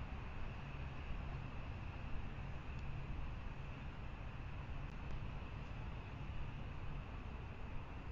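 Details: Steady low rumble of passing vehicle or train traffic fills the recording, with a faint thin tone higher up and no animal calls.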